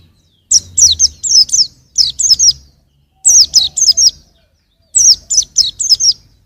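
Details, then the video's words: Four separate bursts from a young white-eye, each a quick string of high, downslurred tweets, with even pauses of about half a second between bursts. "suara burung pleci masih muda"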